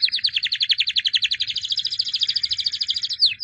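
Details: White canary, albino, a 2017 champion, sings a fast, even trill of rapid repeated notes that runs unbroken, ending in a couple of sharp downward sweeps.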